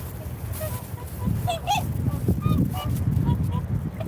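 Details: Several swans exchange short honking and bugling notes, repeated irregularly throughout, one louder honk standing out early on, with a background of wind noise.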